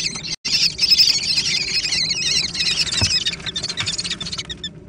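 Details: Young American kestrels fighting over food: a dense, continuous jumble of shrill overlapping wavering squeals after a brief opening gap, with a soft thump near the middle.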